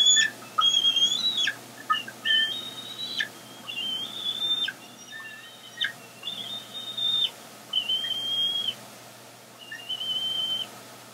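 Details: Bald eagles at a nest on 14 April 2022, with eaglets near fledging perched on a branch and an adult bringing fish: thin, high whistled notes held then bent downward, in repeated phrases about every second or two, over faint background hiss.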